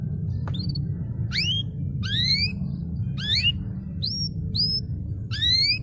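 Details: Canary singing in a master recording for silent canaries: separate bright upward-sweeping chirps with ringing overtones, spaced about half a second to a second apart. A steady low rumble runs throughout.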